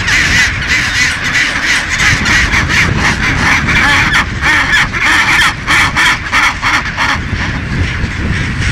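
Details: A dense chorus from a chinstrap penguin colony of thousands at Baily Head, Deception Island, South Shetland Islands, Antarctica: harsh, crow-like braying calls overlapping almost constantly, over a steady low rumble of wind.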